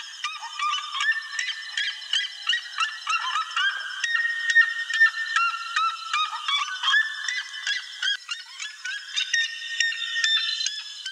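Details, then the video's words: A wild chalk-browed mockingbird (Mimus saturninus, sabiá-do-campo) gives a rapid, varied stream of whistled and chattering phrases, jumping between high and mid pitches with little pause; no other sounds stand out. "CHALK-BROWED MOCKINGBIRD (MIMUS SATURNINUS), SABIÁ-DO-CAMPO"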